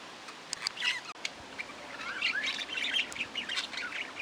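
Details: Budgerigar chatter of twisting, warbled high notes and buzzy clicks run closely together, rising and falling in pitch.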